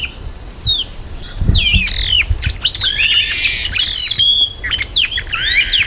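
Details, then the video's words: Yellow-rumped marshbird singing, recorded without added effects: a tangle of loud slurred whistles and harsh squawky notes, sweeping up and down, with overlapping phrases that suggest more than one voice, and a steady high insect hum behind. "Som limpo do canto🎵 do Chupim do Brejo. Som original da ave, sem interferência de efeitos sonoros."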